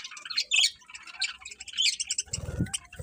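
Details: Morning bird chirping: rapid high twittering and squeaky notes in quick irregular bursts, then a low thudding knock near the end.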